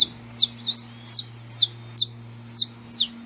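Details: Saffron finch recorded live in nature: bright, high chirps and short downslurred notes spaced about half a second apart, over a faint low background hum.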